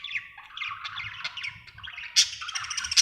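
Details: Happy budgie producing quick, buzzy warbling chatter that steps upward, ending in two sharp bright clicks close together.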